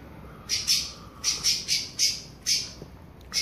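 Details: Pale-breasted thrush warming up toward its classic song: harsh, high squawk-like notes given singly or in pairs, about one every half second, over a quiet background.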